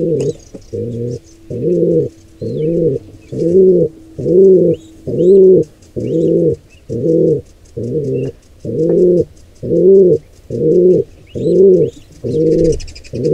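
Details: Wild pigeon at a nest during an attack on a squab by an intruder pair: steady, low, rounded coos repeated about once a second, with faint high twittering from small birds behind.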